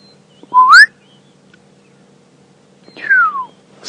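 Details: Black-headed Oriole at dawn, about 6:30 AM on 20 July 2016 at Djuma Game Reserve, as the sun rises and the dawn chorus starts, gives two liquid, fluty whistles about two and a half seconds apart, the first rising, the second sliding down, over a faint low hum.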